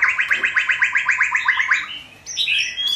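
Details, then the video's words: A young white-rumped shama practising its song runs off about a dozen quick chattering notes, some seven a second, then breaks into higher, clear whistled phrases. "Chích chòe lửa non tập hót"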